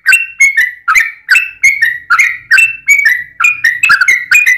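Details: Yellow-vented bulbul delivering long, fast 'ropel' song meant to stir other bulbuls into singing: snappy two-part whistled phrases with clicky onsets, repeated briskly and steadily, with a faint low hum beneath.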